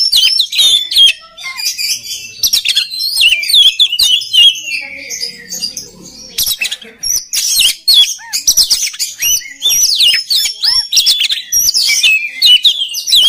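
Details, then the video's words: Oriental magpie-robin song used to train other magpie-robins to sing readily: dense, varied whistles and sweeping high notes in fast bursts, a brief quieter pause mid-way, then renewed rapid phrases. "SUARA KACER PALING DI CARI UNTUK MELATIH MENTAL KACER LAIN AGAR CEPAT GACOR"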